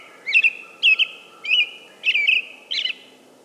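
American robin singing five clear, warbled phrases, each about a third of a second long, about two per second, over a faint steady background hum.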